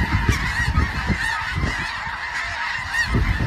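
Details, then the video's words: Snow geese, many birds honking together in a dense chorus of overlapping nasal calls, with a continuous low background roar throughout. "Snow Geese"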